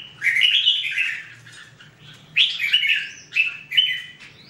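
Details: A red-whiskered bulbul (Pycnonotus jocosus), recorded in 2017, sings bright, bubbly, mid-high whistled phrases: a rich warbling burst followed by shorter chirpy notes, over a faint low hum.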